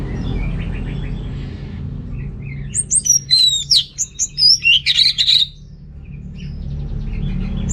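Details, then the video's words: Orange-headed thrush song meant to spur males lacking breeding drive: after a quiet start with soft chatter, a two-second burst of intense, high, jumbled twittering and whistled notes, then fading back to low background hum. "ANIS MERAH Gacor Untuk Pancingan AM Jantan yang Kurang Birahi"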